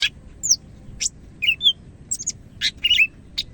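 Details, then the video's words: Greater green leafbird from Medan singing in lively form: scattered sharp high chirps and short whistled slurs, separated by brief pauses, over a low background hum. "SUARA BURUNG CAK IJO MEDAN GACOR"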